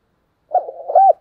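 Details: A single spotted dove fighting-coo phrase: a rough, throaty string of notes runs into a louder, slightly rising coo that ends abruptly.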